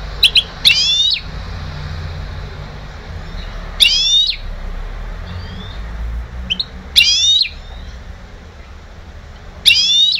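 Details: Goldfinch hybrid bred in 2011 and trained to sing, heard in short bursts of bright buzzy twittering notes about every three seconds, each phrase under half a second, over a steady low background hum.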